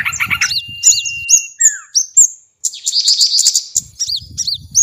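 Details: Bait sound for small birds, opening with quick chips and arched whistles, then a long flat whistle and descending notes, a short silence, and a burst of high rapid trilling with scattered chirps.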